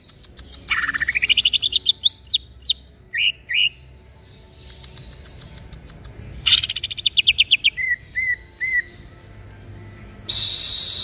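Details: Local East Javan green leafbird, kept caged and singing day and night: fast rising chirps, loud whistled notes, buzzy rattles, then three clear repeated whistles, ending in a burst of hiss.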